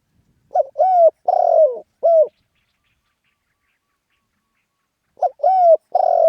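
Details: In lively 'khan yon' style crowing, a spotted dove delivers a complete low four-note coo phrase, ending on a long buzzy downslurred note and a short coo. After a long silence the next phrase begins.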